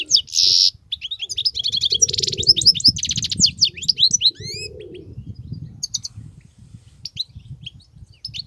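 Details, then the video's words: Wild European goldfinch in continuous song: a loud buzzy burst, then fast twittering and slurred chirping phrases, thinning to scattered high notes over low rustling background noise. "صوت الحسون البرى:مقنين خلوى ممتاز..بتبتات.. غناء لاينقطع"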